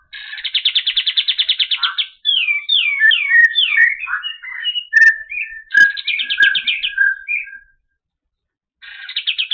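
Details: Olive-winged bulbul (kapas tembak), a clear song kept for training other birds: a fast buzzy trill of repeated notes, then varied slurred whistled phrases, another rapid trill and short chirps, and a pause before the trill starts again.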